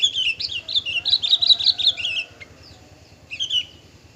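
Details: Male bushlark of the parva form singing a rapid run of varied chirps and trills, high and bright, with a short pause before another trilled burst; a low steady hum runs underneath.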